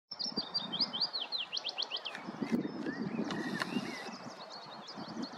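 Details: Willow warbler singing in woodland at Kotthausen, Wuppertal-Beyenburg, on 3 May 2023: a sweet, high whistled phrase of slurred notes descending in pitch over about a second, then fainter chirps from other birds over a low background rumble.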